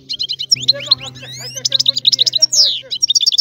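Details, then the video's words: Sicilian European goldfinch giving a rare, old-style song: fast, rich twittering of bright chirps and trills, with a few longer sweeping notes and a downward slur near the end, over a steady low hum. "Canto del Cardellino"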